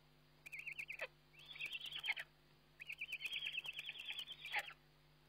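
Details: Eurasian eagle-owl at feeding time on a webcam, 29 May 2011: a short series of high chittering notes, then two longer, denser bouts of rapid twittering, with a low electrical hum throughout.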